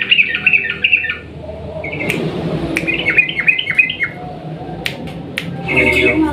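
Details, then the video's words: Sooty-headed bulbul in long rapid 'ropel panjang' song, a lure to get silent bulbuls singing: short bursts of quick bubbly notes separated by pauses, with sharp clicks and a background hum. "trucukan gacor ROPEL PANJANG pancingan burung trucuk yang macet bunyi agar ikut bunyi"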